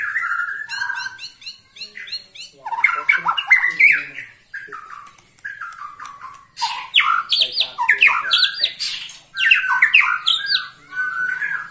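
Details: Song of a 21-year-old white-rumped shama still singing hard: bursts of rapid rattling trills and scratchy notes alternating with rich whistled phrases, separated by brief pauses.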